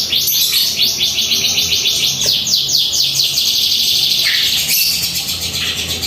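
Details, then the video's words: Morning singing from a white-rumped shama at home: fast, steady repeated very high notes, about four per second, running as a chattering trill. "Masteran suara burung murai"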